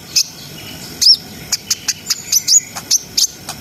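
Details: Brown-throated sunbird, a keen singer played to raise breeding arousal in untrained birds, produces spaced, very high, sharp chirps roughly every quarter second, with one longer, slurred whistle near the start.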